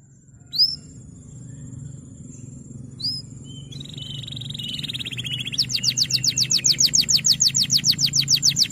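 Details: Male canary singing as a tutor to train young canaries to sing. A few faint high chirps over a low hum lead into a fast, even trill of bright downslurred notes repeated several times a second.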